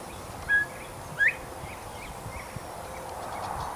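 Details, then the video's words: Male Northern Bobwhite calling loudly from a nearby tree in Texas: a short, flat whistled note followed by a sharply rising whistle. It is heard once, fairly faint against steady background hiss. "Sounds of a Male Bobwhite in Texas"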